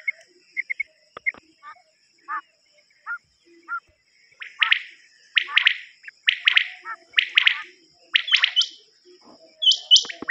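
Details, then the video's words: Common quail calls from a cassette recording associated with quail hunting: scattered soft chirps at first, then loud three-note bursts repeating about once a second, with higher sharp notes near the end over a constant high whine. "نیوبٹیر کی کیسٹ"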